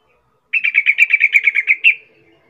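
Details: Calling yellow-vented bulbul, used to provoke other bulbuls into answering: one quick bubbling trill of about eleven clipped notes over 1.5 seconds, slightly falling then ending on a brighter upward note, otherwise quiet.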